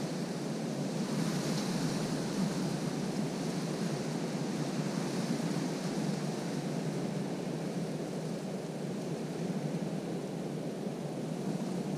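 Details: Steady broadband rumble like wind or distant engine noise, with no animal calls heard.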